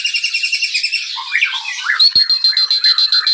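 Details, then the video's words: White-rumped shama from a breeding aviary, its lure song for stimulating other birds: quick pulsed high notes, a short jumble of lower whistles, then a rattling, ticking run with a thin sustained whistle. "suara pancingan murai batu"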